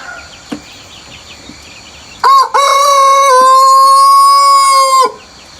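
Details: Early-morning rooster crowing before sunrise on a farm: after a few quiet clicks and faint chirps, a single loud crow begins with a short note, then holds a long, even, harmonic tone for nearly three seconds.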